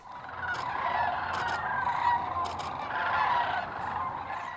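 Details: Several Sandhill Cranes in flight at Hiwassee Wildlife Refuge on 29 December, just after sunrise, calling with rolling, trilled bugling notes that overlap in a steady chorus over faint background hiss.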